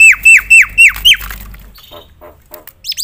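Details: Javan myna (jalak kebo) singing loudly to provoke other mynas: five clear descending whistled notes repeated at a steady quick pace, followed by softer chatter and a brief rising whistle at the end.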